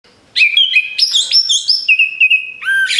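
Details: Orange-headed thrush song used as a lure for other birds: loud, rich whistled phrases of sustained notes alternating with quick slurred and stepped notes, bright and clear throughout.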